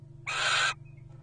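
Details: Wild Little Owl pairs courting at nest boxes during the 2023 breeding season: a single harsh, rasping, broadband screech lasting about half a second, steady in loudness, over a constant low hum.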